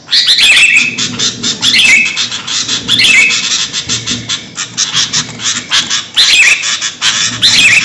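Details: Noisy sooty-headed bulbul calling, a sound used for luring birds: dense runs of harsh scolding chatter broken by short bright whistled notes that recur every second or two, with a low hum underneath.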